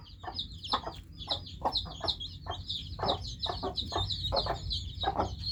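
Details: A busy chorus of newly hatched chicks, many thin high peeps running almost continuously, with louder short, husky clucks and pecking-like taps breaking in every half second or so.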